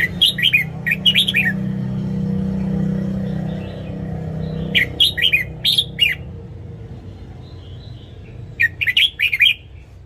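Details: Morning song of a caged red-whiskered bulbul, used for training: three bursts of sharp, rapid, descending warbled notes spaced a few seconds apart, with a low rumble in the opening seconds.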